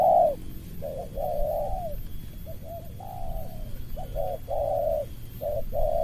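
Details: Spotted dove lure bird confronting an opposing dove in the 'suara rapat ngeruk' style; a sequence of long and short hollow coos, some falling at the end, with a brief break of faint notes midway.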